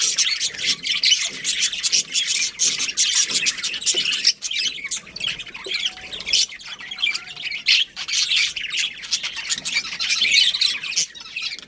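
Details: Budgerigars in a breeding colony, dense, continuous high-pitched chattering and chirping from many birds, with rapid overlapping notes and scratchy warbles throughout, barely pausing.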